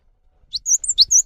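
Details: Caged Java sparrow giving a short fragment of lure song used to stimulate other birds: a downward chip, a high slurred whistle, then a second chip and whistle in quick succession.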